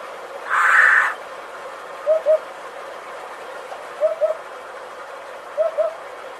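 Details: Hoopoe giving soft, low hooted notes in doubled pairs, 'oop-oop', repeated roughly every two seconds, with one loud harsh rasping burst near the start.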